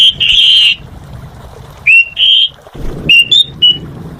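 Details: Lively Asian pied starling song: bright whistles, some held and wavering, others short and clipped, delivered in bursts with pauses, over faint low background noise.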